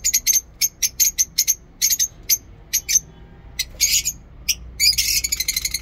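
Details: Chirping from lovebirds kept in a mini zoo, morning: quick series of shrill, clipped high notes, a few harsher rasping bursts, ending in a fast, dense chatter.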